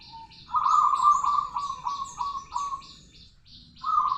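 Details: Local zebra dove singing a long rolling song. A low trilled coo rolls on for about two and a half seconds, breaking into several short bursts, pauses, then starts again. High chirping continues throughout the background.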